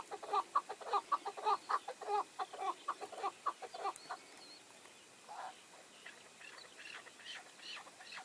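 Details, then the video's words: Chukar partridge, a tethered hunting decoy with wild males drawn in, gives quick rhythmic chuck notes for about four seconds, then softer, scattered answering calls follow in the background. "Keklik Sesi"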